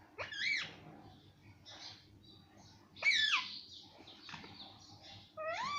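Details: Parrot said to speak mummy and papa mixes sharp rasping squawks and chirps with scattered harsh syllables, ending on a clear rising harmonic note.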